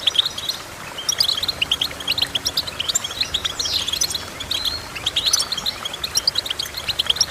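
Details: Goldfinch twittering: clusters of sharp, high chirps and short trills, broken by one sweeping downward slurred note midway, then continuing fast and rhythmic.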